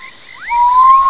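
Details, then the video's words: Common potoo, whose melancholy song echoes through forest nights: a single clear, long whistled note, steady and slightly rising, over a high insect drone and rising frog-like chirps. "O canto misterioso do Urutau"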